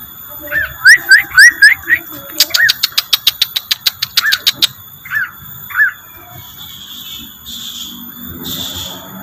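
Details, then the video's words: Lure song of the rengganis bird: a few looping upslurred whistles, then a fast, even train of hard ticks, followed by scattered single chirps and faint hiss. "suara pancingan burung rengganis"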